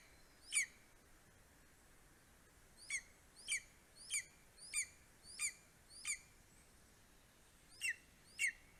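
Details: Estonian greater spotted eagle at the nest, morning of 2 July 2020, male delivering voles and a bird to a four-week-old eaglet: one high yelp, a pause, then a run of six clipped calls and two more.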